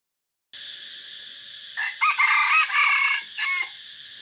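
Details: Decoy red junglefowl recorded on a forest outing on 3 April 2024, giving one crow of several broken, rising and falling parts lasting about two seconds, over a steady high hiss.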